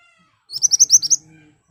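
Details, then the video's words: Lure song of an ashy tailorbird, meant to provoke replies: a short phrase of about six bright, sharp high notes delivered rapidly, the middle notes loudest. "Burung Mantenan Gacor Nembak Tajam Cocok buat Pancingan agar cepat Nyaut"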